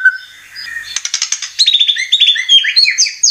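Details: A white-rumped shama sings a lure song for caged birds: a soft whistle, a burst of harsh rattling notes, then fast tumbling whistled phrases that climb and fall in pitch.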